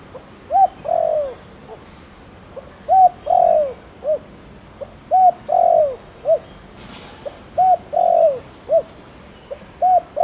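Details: Cooing Thổ Đồng spotted dove meant to stimulate other doves: five rhythmic phrases, each a faint pickup, a ringing hoot, a long purring falling croo and a short end note, with a brief burst of background rustle midway.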